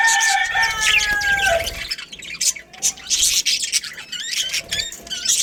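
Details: A budgerigar breeding colony fills the air with fast, twittering warbles. Sliding whistled notes come first, then choppy squeaks and chirps repeat about four times a second.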